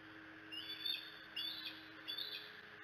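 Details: Bald eagle family at Decorah, 25 June 2018, with the young on the Skywalk and the mother on the Y branch. Three thin, high chittering phrases about three-quarters of a second apart, over a low hum and faint hiss.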